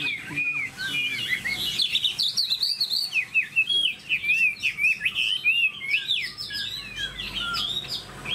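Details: Chinese hwamei kept as a cage bird in loud, continuous song: a rich, rapid flow of twisting whistles, slurs and chirps changing pitch constantly, with no pauses across eight seconds.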